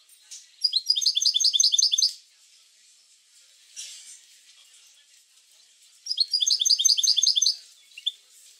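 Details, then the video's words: Goldfinch song to stimulate goldfinches to sing: two loud bursts of fast, ringing trilled twittering, each about one and a half seconds, separated by a quiet pause with a brief noise. "اروع بتبتة لتحفيز الحسون على التغريد"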